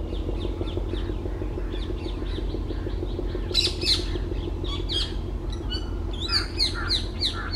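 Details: Green bee-eater perched in trees in West Bengal, India, giving rapid series of short, high, downslurred chirps. Loud steady low rumble underneath, and a burst of other sharp bird calls midway.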